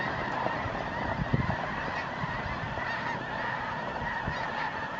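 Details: Snow Geese in their New Mexico desert winter quarters in November 2014, thousands of birds circling at nightfall in search of a place to settle; a dense, continuous chorus of overlapping nasal honks with a steady layered roar of many calling birds.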